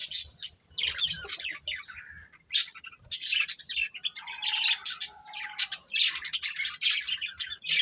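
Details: Breeding pair of budgerigars chattering: rapid scratchy chirps and squeaky notes in quick bursts, with a short lower warbled tone in the middle, almost continuous over eight seconds.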